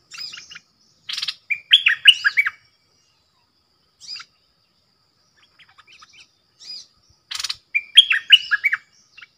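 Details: Caged decoy bulbul singing to lure wild birds, April 2021: two loud phrases made of a buzzy burst and a tumbling series of rich, warbled notes, separated by scattered quieter chips.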